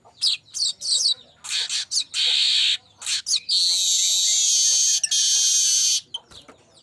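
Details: Streaked weaver singing as a lure: quick scratchy chirps lead into a hissing buzzy phrase, then a long, steady sizzling buzz of about three seconds, ending with soft clicks.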